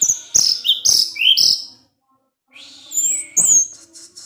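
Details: A kept orange-headed thrush in ngecip ngecis teler song: four quick, loud, slurred whistles stepping downward, a silent break, then a thin rising-and-falling whistle and high piercing squeaks.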